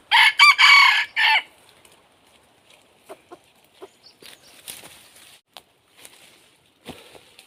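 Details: Decoy red junglefowl luring wild birds gives a loud, strident crow right at the start, broken into rapid bursts over about a second and a half, then quiet with scattered soft ticks and faint clucks.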